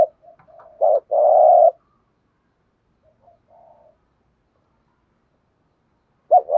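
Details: Spotted dove cooing thúc gù style, one full phrase of a short note and a long purring coo, soft murmurs after, then a new phrase beginning.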